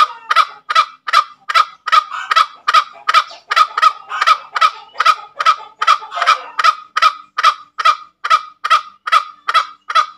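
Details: A long, regular run of roughly twenty-three harsh cackling notes from a green junglefowl, its ngekek call, each note short and raspy, delivered about two and a half per second.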